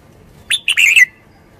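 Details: Red-whiskered bulbul delivering one quick, bubbly phrase of a rising note followed by a warbled, dropping flourish.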